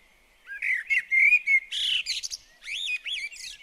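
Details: Common blackbird at a garden bird table giving a fluted, wandering whistled phrase that breaks into a harsher squeaky twitter, then resumes with looping, bouncy whistles.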